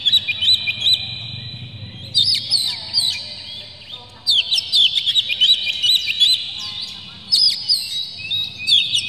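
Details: Oriental magpie-robin, coarse clear lure material played to excite a bird into song; rapid looping whistles and clipped chirps come in overlapping bursts, with a soft low rumble in the background.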